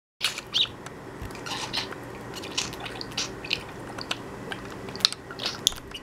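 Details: Nine-year-old pet budgerigar, excited and in high spirits, giving short sharp chirps and clicks scattered irregularly across the clip over a constant hiss of background noise.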